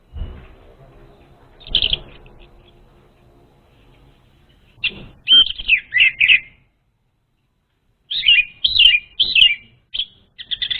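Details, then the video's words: Orange-headed thrush lure song: one faint note early, then after a pause two bursts of quick, slurred whistled phrases, each lasting about a second and a half, with silence between. "SUARA PANCINGAN UNTUK ANIS MERAH BAHAN"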